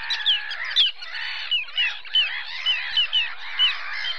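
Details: Common sandpiper at Mutěnice on 22 April 2019, giving thin, high whistled notes that slide downward, repeated irregularly over a loud, dense background chorus of croaking and honking calls.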